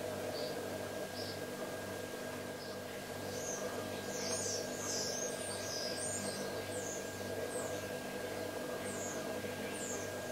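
A young great spotted woodpecker gives short, sharp, high chips at uneven intervals over a steady low mechanical hum.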